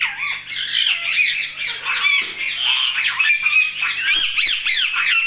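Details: Talking Indian ringneck parakeet: a continuous stream of harsh, nasal squawky chatter with rapidly bending, speech-like inflections running without pause, ending in sharper, louder shrieks.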